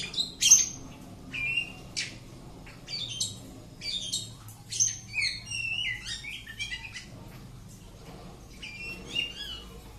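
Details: Captive Oriental magpie-robin delivering separated bursts of clear whistles, rising and falling slurs and chattering notes, spaced about a second apart, fairly quiet with a low background hum.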